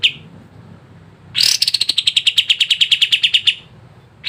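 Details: Sooty-headed bulbul song used as a lure to make lazy caged birds sing: after a quiet start, one burst of rapid, evenly pulsed sharp notes, about nine a second, lasts two seconds, then a fresh burst begins.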